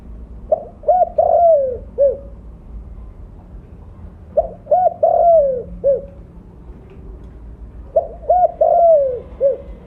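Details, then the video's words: Three repeated cooing phrases, roughly every four seconds, from a loud mottled spotted dove kept as a lure: short hoots, a drawn-out descending coo and a brief final hoot, over a soft low hum. "Terukur blorok gacor suara besar cocok untuk pancingan bunyi."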